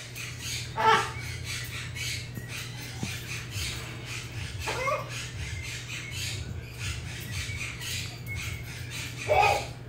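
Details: Sammy, a captive lesser sulphur-crested cockatoo at a parrot rehoming centre near Charlotte, North Carolina, gives harsh, grating squawks, spaced several seconds apart, over a low room hum.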